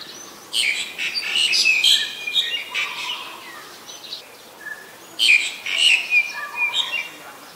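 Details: Black-collared starling in Ubon Ratchathani, Thailand, 25 December 2019: two loud bursts of grating, squeaky chatter with bright metallic notes, separated by a quieter pause with faint lower whistles.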